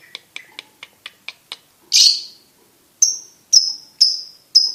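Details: Lovebird, a champion competition bird: a row of soft dry clicks, one harsh rasping squawk, then loud, high, ringing chirps spaced about half a second apart.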